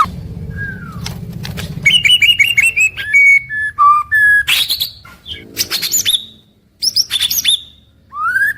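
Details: White-rumped shama, daily morning-to-evening song: a low hum early, then clear whistled notes at shifting pitches, short trills and sharp high chips, ending with a rising whistle after a brief silence.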